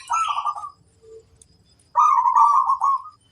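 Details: Female zebra dove in the wild, flirtatiously teasing, gives a short rippling coo, a faint low note, then a longer loud bubbling trill of mid-pitched notes.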